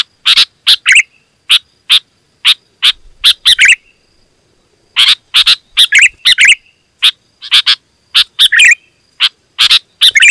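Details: Loud, dense Sooty-headed bulbul song meant to draw wild birds closer: clusters of sharp chirps and gurgling notes, a pause near the middle, then renewed rapid bursts.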